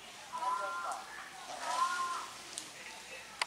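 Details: A domestic swan goose, one of a flock drying off with grey domestic geese, gives two drawn-out, level, nasal honks about a second apart, then a couple of sharp clicks near the end.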